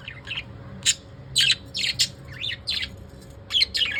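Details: Separate shrill squeaks from pet lovebirds in the evening, several rising and falling sharply, spaced about half a second apart.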